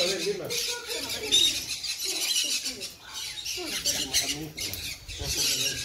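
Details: Sun conure uttering rasping, piercing squawks in uneven bursts, separated by brief lulls, with human speech audible at a lower pitch.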